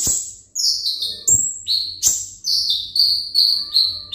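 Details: Caged olive-backed sunbird (konin, ringgit type) delivering a quick string of piercing whistles that step down in pitch, several notes each half second, with faint knocks between phrases.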